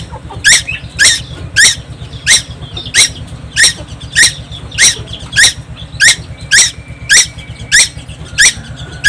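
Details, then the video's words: Constant singing from a young tuwu on Timor Island: a long run of raspy, scratchy squawks delivered at a quick even beat, around every 0.6 seconds, over a continuous low electrical hum. "burung tuwu Pulau Timor gak pernah diam."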